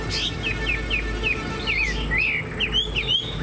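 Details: Chinese hwamei kept as a cage bird, showing a spread tail and a tall stance, singing a series of quick downslurred whistles, then rising, looping notes, over a steady low hum.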